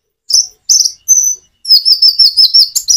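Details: Common iora singing with natural pauses, used to coax reluctant birds into replying: three separate high whistled phrases, then a continuous run of fast, bright chattering notes.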